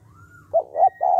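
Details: Spotted dove calling to stimulate males into quick calling: a brief low three-note coo, two quick notes and a longer rough one, over a faint low hum and a thin whistle.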